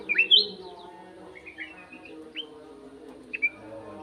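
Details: Sooty-headed bulbul opening with a loud run of rising and falling whistled notes, then softer slurred whistles and a final sharp upward note, all set against a constant low hum.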